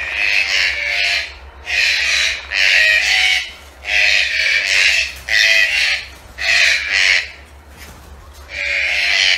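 Green-billed toucans give harsh, grating croaks in bursts of about a second, repeated roughly every one and a half seconds, over a low steady hum.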